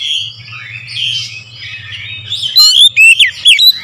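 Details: Oriental magpie-robin singing in the morning as a lure: soft, wavering warbles at first, then a closing burst of bright, clipped whistled notes.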